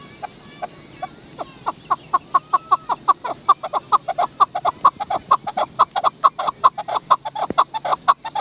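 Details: Chukar partridge, called Dasi chakor, giving a rapid series of short clucking chuk notes, about two per second, loosely spaced and steady in pitch, with a faint rising whistle early on.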